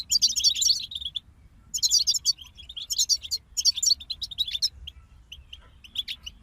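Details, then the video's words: European goldfinches singing together in a group, dense bursts of sparkling high twitter about a second long alternating with runs of clipped repeated chirps and brief pauses. "King of Songbirds Goldfinch Group Motivations for Songbirds"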